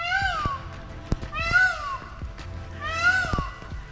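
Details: Indian peafowl (peacock) at a local lake park in the morning, wild birds calling as a wake-up; loud, nasal, cat-like wails with a rising-then-falling pitch, three in four seconds, over a low background hum.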